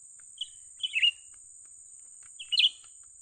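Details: Young cucak ranting bulbul calling while being lured for trapping: two brief, slurred chirping phrases, each ending in a buzzy downward note, over a constant high thin whine.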